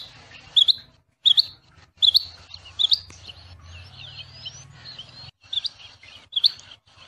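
Rain quail song: sharp, high, metallic double notes repeated about every three-quarters of a second, with faint chatter from other birds and a low hum behind.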